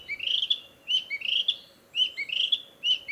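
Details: Male Narcissus flycatcher back in a spring forest to breed, singing to declare territory. Clear, whistled phrases rise and fall about once a second, with a faint steady hum behind.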